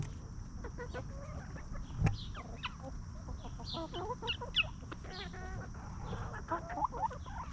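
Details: Free-range hens scratching in the dirt and feeding on treats produce a stream of chattering clucks and short rising squawks from several birds, with occasional knocks and steady low background noise.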